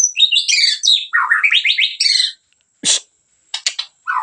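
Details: Gacor singing from a Medan white-rumped shama: a dense fast burst of high whistled and buzzy notes, then a series of rapidly repeated rising notes, followed by a pause and scattered sharp clicks.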